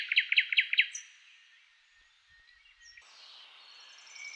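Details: Blue-cheeked bee-eater in Kanhatti Garden, Soan Sakesar, gives a quick burst of four or five rolling, trilled notes in the first second, then faint background hiss and light noise.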